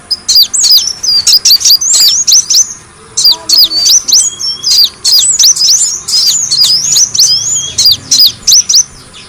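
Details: Sunbird lure recording: rapid bursts of high, sharp chirps with looping up-and-down whistled notes, grouped in quick runs broken by short pauses, over a faint steady high whine.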